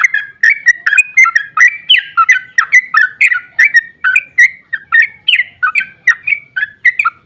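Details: Long, emotive ropel song of a sooty-headed bulbul, played so other bulbuls respond at once: a steady, fast chain of short, liquid, chattering whistles lasting throughout.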